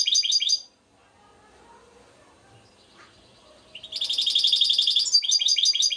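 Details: Trnan (European goldfinch) song from Šuto Orizari: a short burst of high tinkling twitter, a long quiet pause with faint murmuring, then a dense, liquid stream of rapid chirping notes.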